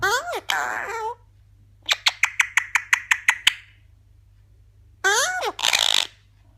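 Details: Indoors, a pet Eclectus parrot mimics talk: a wavering speech-like phrase, then about nine rapid clicking squawks evenly spaced, then two more harsh, voice-like bursts.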